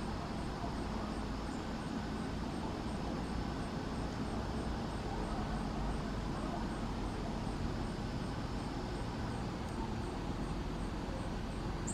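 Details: Steady road traffic rumble fills the recording, with a faint high ticking but no clear animal voice.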